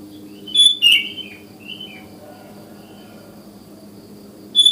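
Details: Sooty-headed bulbul calling on a morning, wild forest-style phrases that invite other bulbuls to sing; one clear bubbly slurred phrase, softer trailing notes, then a new phrase starting at the end, with a steady low hum.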